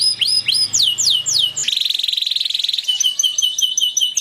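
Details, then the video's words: Excited canary in full song: quick sweeping downslurred notes, then a dense rattling trill held for over a second, followed by evenly spaced high piping notes. Faint low hum at the start. "تغريد كناري هائج Tweet a raging canary"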